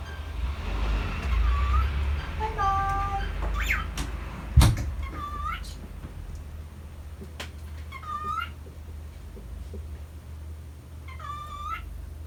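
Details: A lonely male pet cockatiel calls sadly as its owner prepares to leave the house. It gives repeated short rising harmonic calls, some in quick pairs, a few seconds apart. A loud knock, household rustling and a low hum sound beneath.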